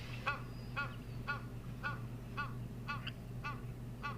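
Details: Egyptian goose at Mashatu, 17 October, gives a string of about eight hoarse, nasal honks, roughly two per second, over a steady low hum and murmur, with a lilac-breasted roller also around.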